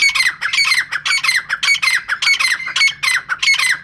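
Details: Rapid, insistent series of coarse squawking notes from a female francolin, around two each second, loud and unbroken throughout.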